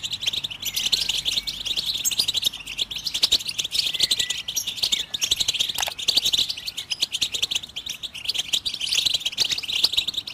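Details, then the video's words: Goldfinch singing in a long unbroken run of rapid, liquid twitters and buzzy chirps, high and busy throughout, used to prompt other birds into song; dry clicking ticks sound here and there. "How do you make your bird goldfinch song in its first minute ?"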